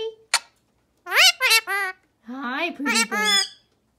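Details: Two rescued Indian ringneck parrots roam the halls of a parrot sanctuary indoors. A sharp click is followed by bursts of shrill, harmonic squawks and squeaky, rising and falling chatter, with a pause between the phrases.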